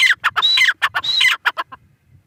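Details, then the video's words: Teetar or grey francolin giving two quick phrases of sharp, ringing notes, each with a high whistled tone that drops in pitch, followed by short clipped notes trailing off into silence. "Teetar ki awaz | Teetar voice | gray francolin teetar sound"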